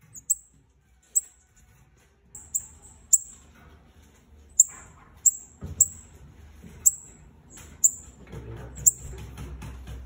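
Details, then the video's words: A bananaquit pair calling rapidly: about a dozen high, thin chips at uneven intervals, some doubled, over growing low rumbling background noise. "Casal de Sibites chamando, pra Foguear o seu !"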